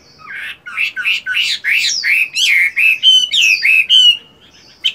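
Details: Chinese hwamei, a caged fighting bird of good build still trained to sing during moult, pours out a dense morning sequence of loud slurred whistles and buzzy notes, roughly three per second, ending abruptly.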